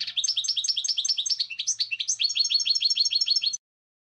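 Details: Goldfinch singing a rapid, rolling twitter of high chirps, with varied notes in the middle and a steady run of repeated notes before it stops abruptly.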